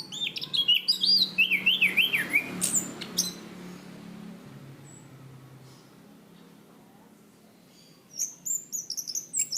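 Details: Punglor kembang, a Southeast Asian forest thrush kept for its song, in a training recording: a run of wavering, zigzag whistles and high chirps, a long quiet gap, then renewed thin high whistled phrases at the end.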